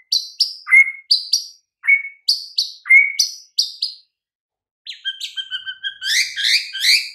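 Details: White-rumped shama song played as a master recording to prompt silent, sluggish shamas to sing: pairs of sharp high chips alternate with clear lower whistles, followed after a pause by a rapid, buzzy rattling phrase with rising notes.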